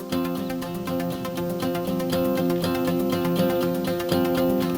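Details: Strummed acoustic guitar music with a steady rhythm and sustained chords, with no animal sound heard.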